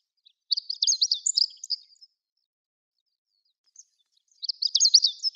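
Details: Two high, scratchy twittering phrases from a Chestnut-eared bunting at Sarobetsu Natural Flower Garden beside day lilies, each about one and a half seconds long and separated by a quiet pause of roughly two seconds.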